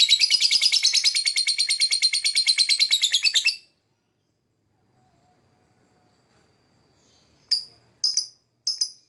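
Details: Lovebird singing for whistle training: over three seconds of rapid, buzzy high twittering, then silence, then three separate sharp chirps near the end.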